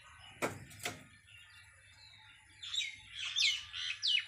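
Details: A rescued pet Indian parrot, kept out of a cage, gives a quick run of high, squeaky, chattering chirps in the last two seconds, after two sharp knocks like a door.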